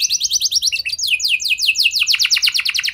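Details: Canary singing to lure others, a rapid string of sharp falling notes about eight per second, shifting into longer sweeping slurs and back to a quick trill.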